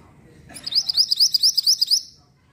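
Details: Mantenan bird song used as a lure to draw a reply: a rapid, regular chain of roughly eleven piercing, high upward-sweeping whistled notes lasting about a second and a half, over a quiet low rumble.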